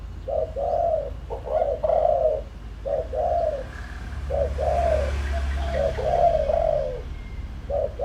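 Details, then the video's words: Spotted dove kept as a lure, giving its full calling sequence meant to provoke wild doves. Repeated groups of mellow, slightly burry coos, short then longer, come steadily over eight seconds against a low rumble. "tiếng chim cu gáy mồi đủ bài gọi thúc gù giọng hợp Bổi kích bổi nhanh nổi"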